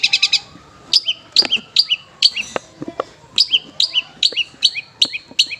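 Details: Long-tailed shrike mimicry song as tutor for caged shrikes: a fast burst of four sharp chirps, then high, down-slurred whistled notes about every half second, with faint clicks underneath.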